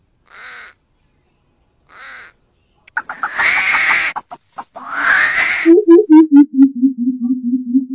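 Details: Black crow giving two harsh, hoarse caws about a second and a half apart, followed by a loud rasping burst and then a run of low, descending hoots from a coucal.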